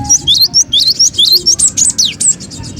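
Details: Noisy cinereous tit lure call for trapping birds: an unbroken string of high, quick chirps, some rising and some sharply falling, about five notes per second, over soft low background noise.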